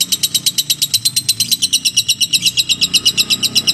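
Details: Steady lovebird ngekek trill: regular, rapid high chattering notes about four per second, continuous over a soft low background rumble; used as a lure for other lovebirds.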